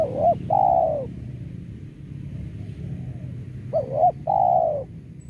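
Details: Spotted dove used as a lure to attract doves for trapping: low hollow cooing, a short stuttered double note followed by a longer level coo, the phrase given twice about three seconds apart over steady low rumbling background noise.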